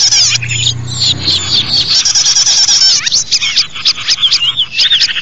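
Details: Bird sounds meant to lure small birds; a dense, loud tangle of overlapping high chirps, trills and looping whistles from several birds, with a low droning hum during the first two seconds.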